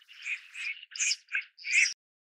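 Red-crested Pochard giving five harsh, rasping bursts in quick succession over about two seconds, with no other sounds.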